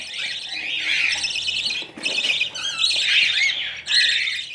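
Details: Budgerigar chicks being hand-fed with a syringe indoors give harsh, raspy begging squawks in long continuous bursts with brief breaks, strongly high-pitched; faint speech in the background.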